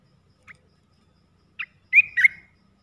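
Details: Olive-winged bulbul, three-phrase song played to lure wild birds. A few scattered short notes lead into a bright, slurred, warbling phrase near the end, with a quiet background.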